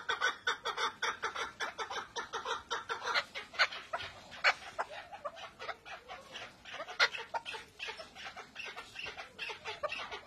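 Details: Male henna chukar partridge giving a long, dense run of hoarse clucking chuck notes, tightly spaced and uneven, with some louder accented notes standing out.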